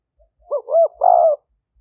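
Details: Spotted dove used as a trapping decoy in Roi Et province, Thailand, liu tan style, 2021. One phrase of three coos: a short rising note, a swelling middle coo and a longer buzzy final note.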